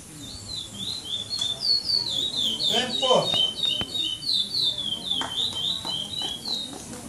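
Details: Brown-plumaged male chestnut-bellied seed finch competing in the seventh stage of the Maranhão Praia Clássico singing tournament, 2014; continuous fluty, rolling whistled phrases throughout, with a human voice, sharp clicks and crowd murmur behind.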